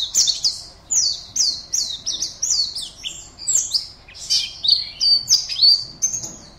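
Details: Caged Oriental white-eye entered in an online singing competition, from Pontianak, West Kalimantan, Indonesia; high, rapid chattering song of short twittering phrases, each sliding between pitches, delivered in a continuous stream without pause.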